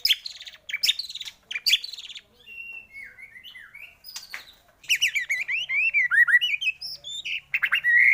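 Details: White-rumped shama song played as a lure to make shamas sing: bright, varied whistled phrases, buzzy high bursts early, then a fast run of rising and falling warbled notes.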